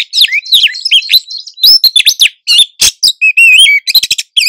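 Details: Oriental magpie-robin female in heat, calling back and forth to attract a male in the wild; continuous varied whistled phrases, quick chirps and warbles, some steady high notes and repeated short clicks, all bright and high.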